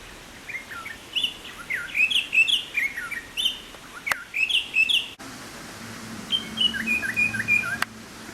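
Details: Rüppell's Robin-Chat (Cossypha semirufa) in Karura Forest, an urban forest in Nairobi, Kenya, sings its complex song: a rich, varied run of high whistled and slurred phrases, then a steadier whistled stretch after a pause, over a faint low hum.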